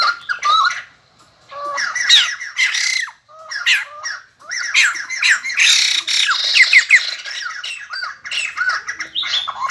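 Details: White-crested laughingthrush, a cage bird, in full song: dense, harsh, chattering phrases of squawks and rapid warbled notes, broken by brief pauses over nearly ten seconds.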